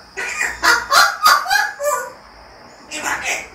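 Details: An African grey parrot gives a quick run of five throaty, voice-like syllables in under two seconds, each rough and harmonic-rich. A brief pause follows, then two or three more syllables. A steady high electronic whine sounds underneath.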